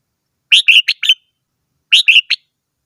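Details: Red-whiskered bulbul giving two lively phrases of three to four quick, slurred whistled notes each, about one and a half seconds apart, in an otherwise quiet setting.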